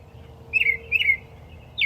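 Northern mockingbird singing two short, bright chirping phrases spaced about half a second apart, a third starting as it ends, over a faint steady hum.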